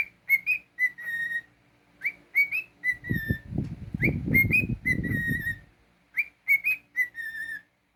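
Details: Cockatiel at home whistling repeated phrases of quick upslurred notes and steady whistles, with a stretch of low rumbling noise in the middle.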